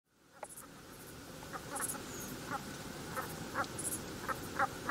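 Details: Brent goose, a small dark coastal goose travelling in loose flocks; short, low, gruff calls from several birds, scattered and overlapping, fading in from silence over a steady noisy background.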